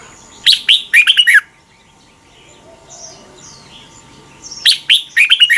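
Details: Red-whiskered bulbul in Thailand giving the doubled song played so young birds copy it. Two rapid phrases of bright, bubbling notes separated by about three quiet seconds with faint distant whistles.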